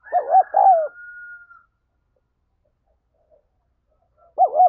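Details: Spotted dove cooing to stimulate decoy birds: two rich, wavering coo notes at the start with a thin whistle trailing off, a long silence, then another pair of coos at the end.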